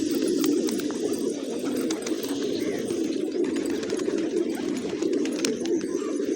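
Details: Hungry pigeons feasting on grains in a village in the morning: an unbroken low, throaty cooing chorus from many birds, with sharp clicks and faint chirps on top.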